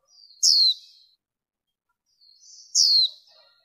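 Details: Two sharp, very high, falling notes from a female warbling white-eye, each with a quiet buzzy tail and a long silence between them. The noise-reduced track is meant to excite males and lure wild birds.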